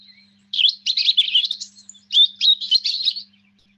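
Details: A European robin, a garden bird heard singing all year round, gives two rapid bursts of high, thin, jumbled twittering notes separated by a brief pause, its typical twitter-pause pattern, over a faint low hum.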